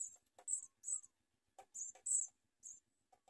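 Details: Begging house sparrow chicks being fed by their mother and biting her; loud, high rasping chirps in bursts, a few softer lower clicks and a faint thin whistle between them.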